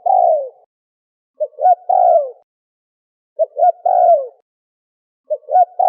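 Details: A Malay dove, or turtle dove, repeats its phrase about every two seconds. Each phrase is two quick low hoots followed by a longer, smooth coo that slides downward. The background is silent.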